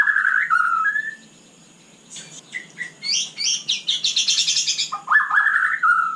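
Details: White-rumped shama singing at night: opening slurred whistled phrases, a short pause, then a rapid burst of varied, high chattering and trilled notes, ending with loud rich whistles that dip and rise again.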